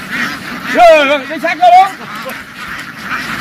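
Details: Ducks on a farm, running into water and jumping back ashore, give wavering, nasal calls in two short bursts, with quiet murmuring voices in the background.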